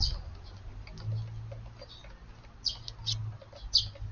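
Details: Sparrows visiting a garden on an evening of 9 June, a flock mostly of this year's young with one or two parents, feeding; short bright chirps at about 2.6, 3.1 and 3.8 seconds over low rumble.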